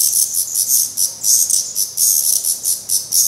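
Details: Downy black redstart fledglings, still fed by their parents at the nest in Portugal, give a steady stream of shrill, rasping, high hisses. About five bursts come each second.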